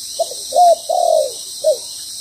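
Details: Spotted dove decoy bird, moulting, calling during trapping: a short clipped note, then a longer arched coo and a drawn-out rippling coo, ending with one more short coo, all low and mellow, over a steady high insect hiss.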